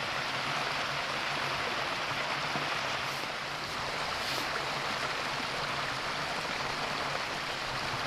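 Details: Even rushing of a stream fills the scene with steady watery hiss, and no bird calls are heard.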